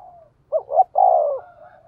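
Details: Decoy spotted dove with a low, earthy thổ voice giving a thúc gù cooing phrase: two quick hollow notes followed by a longer, drawn-out falling coo.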